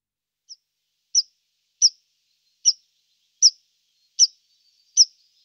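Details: A tree pipit (Anthus trivialis) gives a steady series of seven sharp, high, downslurred notes, about one every 0.7 seconds, against a quiet background.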